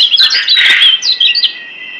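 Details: Kecial kuning Lombok white-eye master song for training caged birds: a brief burst of high, sharp chirps and twitters, then a thin sustained whistled tone trailing off.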